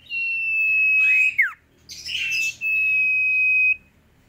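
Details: Sooty-headed bulbul in full song: a held high whistle that drops in a quick downward slur, a scratchy burst of chatter, then another long, level whistle.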